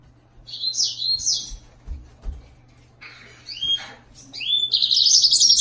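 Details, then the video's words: Yellow-fronted canary producing high, jumbled warbling phrases with pauses and a low hum in the background, closing in a dense, rapid burst of notes. "Serinus mozambicus-Green singer"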